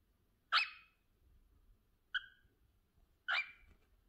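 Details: Cockatiel calling: three short, sharp, chirpy calls rich in overtones, spaced a second or more apart, against a quiet background.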